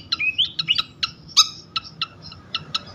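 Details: Flycatcher (sikatan) lure song meant to trigger other flycatchers into singing: sharp clicking chips interspersed with brief rising whistles, then a loud burst and spaced high ticks.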